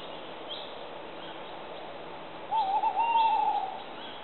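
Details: Tawny owl giving a wavering, tremulous hoot that lasts about a second, rising and dipping in a quavering pattern before fading. Faint distant chirps and steady outdoor noise sound behind it.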